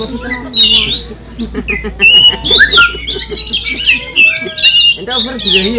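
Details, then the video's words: Emotional, aggressive oriental magpie-robin song aimed at stirring other magpie-robins: rich mix of sharp whistles, rapid rising and falling slurs and scratchy trills, densely packed, with soft voices beneath. "Kicauan kacer kanibal, mbagong, salto, over emosi bikin kacer lain tambah emosi dan gacor"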